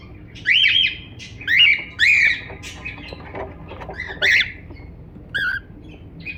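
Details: Cockatiel calling with a run of rising-and-falling squawky chirps, several in close succession then sparser, plus softer chatter notes between and a faint low hum.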